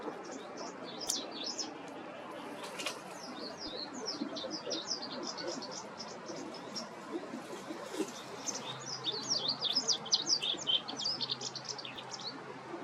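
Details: White wagtails (Motacilla alba) calling, possibly song or call notes: a dense run of short, high, sharp chirps, about two or three a second, over a steady low rumble of background noise.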